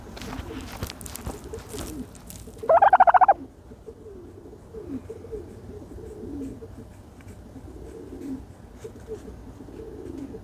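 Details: Turkey bathing in dirt gives one loud, rapid rattling gobble of quick pulses that lasts about half a second. Softer low murmuring calls recur before and after it, over a quiet rural background.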